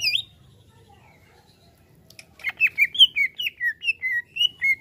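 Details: Greater green leafbird triggered by a played sound: one high note, a pause, then a lively sequence of clear, swooping whistled phrases, each dropping slightly in pitch, repeated about twelve times.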